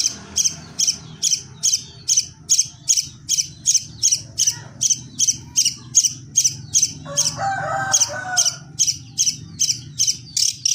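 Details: Long-tailed shrike, fighting, 'suara gereja' style: harsh high notes repeated steadily about two to three times a second over a low background rumble, with a brief lower chattering burst midway.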